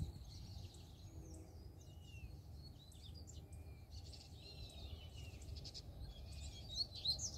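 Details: Free-living double-collared seedeater arriving and singing strongly: scattered high whistled and chirped notes, some slurred downward, in loose irregular phrases, with other birds chirping around it over a steady low rumble of background noise.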